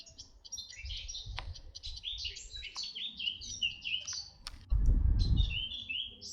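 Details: Red-backed shrike recorded in 2025 at Artomaña, Orduña, Bizkaia, Spain: a rapid, scratchy twittering of high chirps and short trills that runs continuously, with a brief low rumbling thump near the end.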